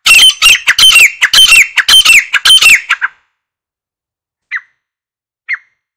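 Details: Calling grey francolin, or grey partridge, recorded for hunting: a quick burst of loud, grating, ringing notes lasting about three seconds, followed by silence and two single short notes spaced a second apart.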